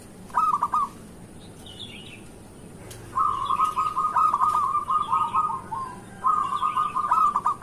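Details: Local zebra dove in morning song meant to lure other zebra doves: short rolling coo, then two long bubbling trilled phrases of rapid notes, with faint high chirps from another bird in the background.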